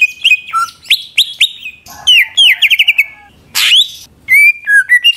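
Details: Greater green leafbird singing to provoke rival leafbirds: bright whistled phrases and rising notes, a quick stutter of repeated notes, then one harsh burst before clear whistles resume.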